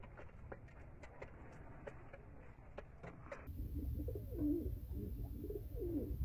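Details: Feeding time in a Bangladeshi pigeon loft: quiet rumble and faint ticks at first, then several low, gurgling coos rising and falling over the last three seconds.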